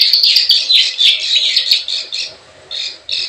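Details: Plain prinia 'klik klik ciwah' lure sound: a quick burst of rasping, buzzy chirps that thins out into a few separated notes with short silences between them.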